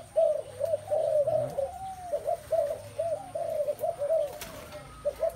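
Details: Many spotted doves calling together: low, soft coos in overlapping runs of arched notes, pausing briefly midway, with a few sharp clicks, a steady faint high whine and low background rumble.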